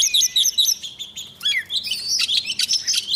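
An Oriental magpie-robin sings a rapid, varied run of clear high whistles and sweet chirps. Short phrases tumble together with no pauses.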